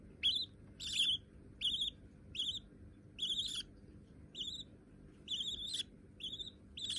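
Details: Hand-tame white budgerigar babies repeating rough, buzzy chirps that rise slightly in pitch, roughly once every 0.75 seconds, with a louder sharp note at the start.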